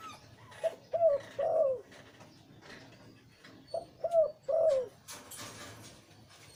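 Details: Deep-voiced breeding male zebra dove of the liu tan type, cooing two phrases; each has short clipped notes then a longer rolling coo falling at the end, with faint background rustle and a burst of noise at the close.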